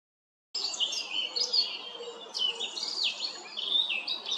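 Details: Male Eurasian blackcap singing on 14 April 2024, a rapid, continuous warble of varied chattering and fluty notes, high-pitched and unbroken for about four seconds, with faint background hiss.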